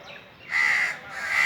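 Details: A single drawn-out, rasping caw followed by the start of another, from Indian crows sitting on top of a tree on a very hot summer day.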